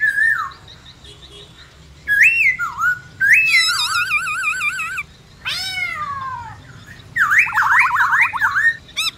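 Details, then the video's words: Black-throated laughingthrush (khướu bạc má) singing a many-voiced 'forest voice' song: rising whistles, a wavering nasal phrase, a steep descending sweep, then rapid zigzag whistled notes, with quiet gaps between phrases. "Khướu bạc má Hót Giọng Rừng Nhiều Giọng Cực hay"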